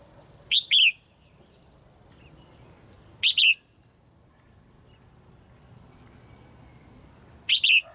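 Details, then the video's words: Caged female bird singing in the morning: three short, sharp double chirps spaced a few seconds apart, each dropping in pitch, over a steady high-pitched hum and low background rumble. "เสียงนกร้องเจี๊ยก ๆ ไพเราะมาก"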